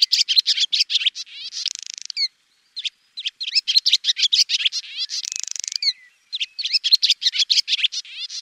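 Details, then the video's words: A swallow keeps up a busy twitter of quick high notes mixed with harsh buzzy rattles and short downward-swept squeaks, with brief pauses between phrases. "SWALLOW BIRD Sound Effect"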